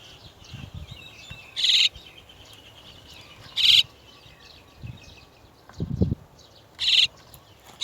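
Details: Chestnut-tailed starling parents arriving to bring their chicks out of the nest. Four loud, harsh, buzzy bursts come a couple of seconds apart over a background of faint high chattering, with low thumps and rustling between them.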